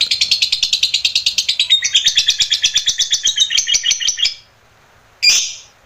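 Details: Extended lovebird ngekek trill used as a master recording: a rapid series of raspy high pulses lasting about four seconds, then quiet and a single loud shrill squawk near the end.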